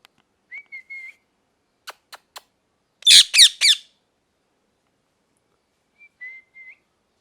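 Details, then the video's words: Parrot making short, thin whistled chirps, then three sharp clicks and a burst of three loud, harsh squawks, followed by more faint, level whistled chirps. The background is quiet and there are no other sounds. "Parrot Chirping Sounds | Natural Parrot Sounds | Parrot Calling Sounds"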